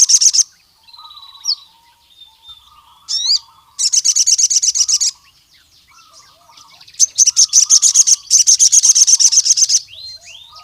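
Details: Javan cuckoo-shrike, a male in full song calling rival males: rapid bursts of harsh, high rattling notes repeated about three per second, alternating with lower warbled phrases and brief rising whistles.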